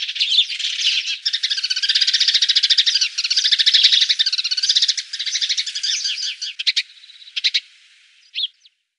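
House sparrow chirping in a fast, busy run of bright chirps for six seconds, then a few scattered chirps before it stops.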